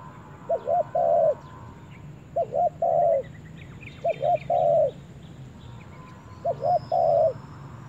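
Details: Spotted dove on its first time in the forest, giving low cooing phrases: a short doubled note then a longer, slightly falling coo. Four such phrases repeat about every two seconds, with faint chirps of other birds above and a low steady hum.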